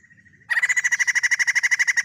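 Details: White-crested laughingthrush: a faint thin note, then a sudden, fast, loud rattle of evenly repeated harsh notes that keeps going to the end.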